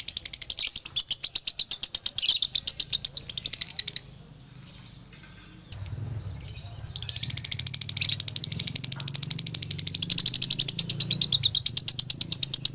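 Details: Male lovebird from Galendo, Ciamis, in its 'dobelan' song for training birds: rapid shrill chirping trill, a two-second pause with only a thin steady tone, then the fast high chatter resumes, with low rumbling in the background.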